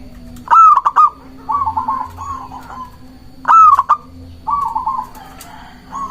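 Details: Zebra dove in its local form, whose song is played to lure doves and provoke rivals: loud clipped whistled opening notes followed by bubbling trilled coos, phrases repeating roughly every three seconds, steady low hum behind.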